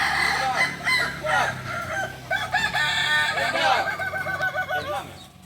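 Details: Kokok balenggek chickens at a group practice session in Solok, several roosters crowing over one another in overlapping wavering phrases, some rising and falling in stepped notes, steady crowd of calls throughout.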